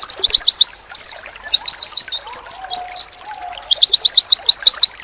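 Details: Oriental white-eye singing a masteran said to provoke other white-eyes into replying: quick bursts of high, thin, down-slurred notes in tight runs, broken by short pauses, with a soft low drawn-out tone in the middle.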